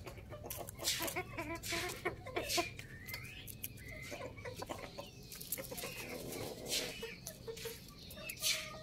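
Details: Several chickens cluck and give short rising notes, mixed with rustling and faint background noise.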